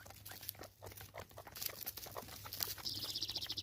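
Guineafowl give harsh, grating notes that build into a fast, rhythmic chatter, several a second, as they squabble over food, with scratchy rustling and a low hum.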